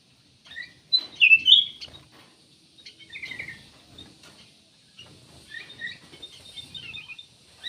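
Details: Black-naped oriole singing. Short clear whistled phrases are spaced by pauses, some sliding downward. There is faint background rustle and a steady high hiss.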